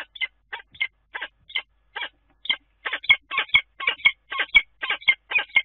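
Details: Common kestrel calling at its nest on the Dunea water tower, Scheveningen, 10 April: a string of rasping, whining notes that begins spaced out and then speeds up to about two per second. There are faint clicks and the background is quiet.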